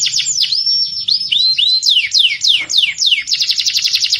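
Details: Fighting canary (kenari petarung) training song: a run of loud, sweeping downslurred whistles repeated about four times a second, with a few rising notes, ending in a fast, high rattling trill.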